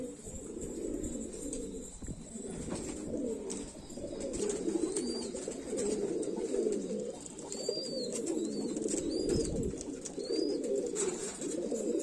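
Pigeons give a steady, overlapping murmur of low cooing throughout, with a few thin high chirps from another small bird now and then.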